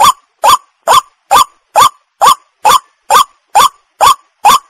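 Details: White-breasted waterhen call, as used in rural Bengal to lure birds for hunting: about twelve loud, harsh, upward-inflected notes repeated steadily, roughly one every 0.4 seconds, with a distorted, overdriven quality.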